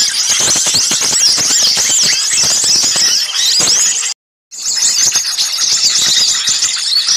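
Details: Loud mass of small birds chirping, a lure for catching birds; busy high twitters and squeals, cut by a half-second silence near the middle before resuming.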